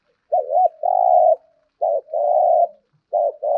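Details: Spotted dove decoy bird practising daily 'thúc gù' cooing, phrases repeated about every 1.4 seconds, each a short double warble followed by a longer steady low coo; quiet background.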